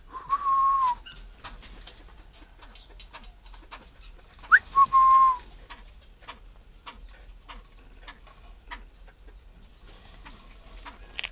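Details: Tame captive male Chinese francolin, waiting to be paired with a female, whistling two calls about four seconds apart: a short upward note, then a sustained level whistle dropping at its end, followed by quiet with faint clicks.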